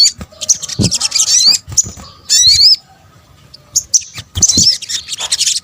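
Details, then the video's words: A sunbird (Indonesian "sogok ontong") gives bursts of thin, high, squeaky twittering, each about half a second, separated by short pauses with low thumps between, used as a lure call. "kombinasi suara sogok ontong"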